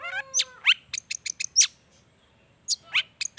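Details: Long-tailed shrike in vigorous song with copied wild-bird phrases, a lure to start reluctant shrikes singing; a low steady whistle, then rising slurred notes and high sharp chirps, a pause, and more rising calls.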